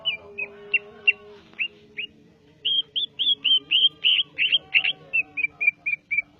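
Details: Greater green leafbird from Java singing short clear whistled notes, first spaced, then a quick run of chirps about three per second at steady pitch; soft low tonal hum in the background.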